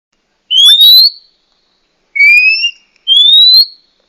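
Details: Female Oriental magpie-robin calling to provoke a male into singing or raise his breeding drive: three clear whistled notes rising from mid to high pitch, one a paired two-tone whistle, spaced by pauses in quiet surroundings.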